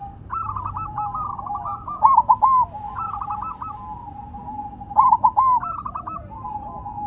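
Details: Silver zebra dove continuing to sing while resting on the ground, giving two loud phrases of three rolling, gurgling coo notes about three seconds apart, with softer trilled cooing from other doves filling the gaps.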